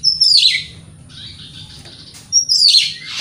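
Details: Oriental magpie-robin lure song, used to provoke other magpie-robins: a bright descending whistled phrase, a pause with low background hum, then another sharp falling whistle.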